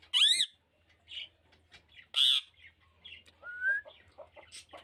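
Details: Pet Indian ringneck, a green rose-ringed parakeet, gives two loud harsh screeches with softer chattering notes and a rising whistled slide between them, irregular timing, faint low hum underneath.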